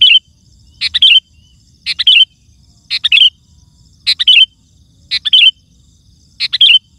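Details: Loud, lively sooty-headed bulbul song used to lure wild birds in forest or garden and to prompt other bulbuls to sing: short bubbly whistled phrases of three quick notes, about one per second, over a faint low rumble.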